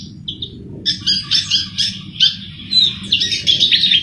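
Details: Javan flycatcher (sikatan jawa) singing energetically, used as a lure for bird trapping: bursts of high, rapid chirping and twittering phrases after a brief opening note, with steady low background hum.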